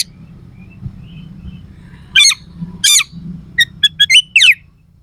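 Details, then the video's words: Singing Oriental magpie-robin delivering sharp, rough fill phrases: after a quiet start with low hum, two buzzy scratchy bursts followed by short clipped whistles and a descending slurred note. "Suara kacer gacor NEMBAK ISIAN KASAR/Bikin semua KACER jadi EMOSI"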